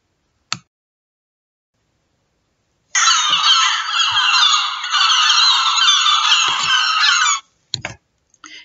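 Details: Gulls, heard in winter, screech in a harsh, raucous chorus of overlapping calls running unbroken for about four seconds; a few faint knocks come just before and after.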